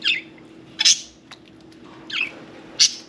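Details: Indoor pet budgerigar around its bath gives four separate bright chirps, roughly one every second, some sharp and clicking, others softer and rising, against a quiet room hum.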